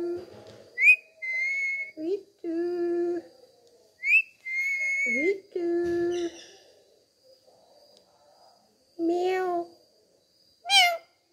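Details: Talking pet parrot enjoying a head massage, giving a series of clear whistles and harmonic, nasal meow-like calls in short bursts, with pauses between calls and quiet room sound.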